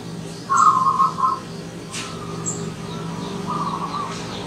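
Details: Local wild zebra dove singing in the morning: a bright, rapidly rolling coo phrase lasting about a second, then a softer, fainter rolled phrase later. Faint high chirps from other birds over a steady low hum.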